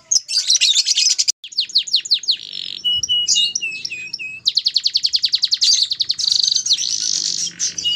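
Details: Captive canary at a breeding farm singing a fast, varied song: rapid trills of repeated descending notes, buzzy bursts and short whistled phrases flowing without pause.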